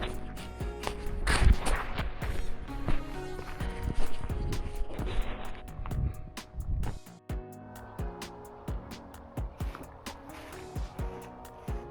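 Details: Only background music with sustained tones and scattered thumps like footsteps is heard, and no animal calls.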